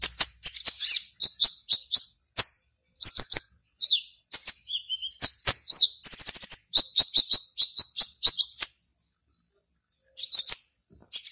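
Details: Black-naped oriole kept in a cage in Serang, Banten, Indonesia, singing for an online competition: high chattering notes mixed with buzzy bursts and short whistles, a brief pause, then a final chirp.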